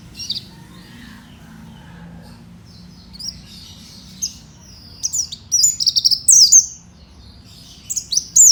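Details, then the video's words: Oriental white-eye, fighter type, a kept songbird in Indonesia; a quiet start with scattered high notes builds into a dense burst of shrill chirps and twittering slides in the second half. "kicau burung pleci fighter"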